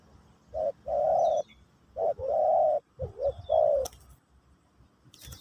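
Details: Spotted dove (terkukur) singing in the pesom/kacuk style during a teaching session for a new bird: three mellow coo phrases, each a short note then a long low hum, with thin faint chirps of other birds above.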